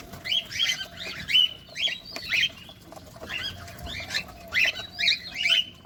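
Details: Cockatiels at feeding time chirp repeatedly, roughly two calls a second, each a brief rasping note with a whistled edge, over steady low hum.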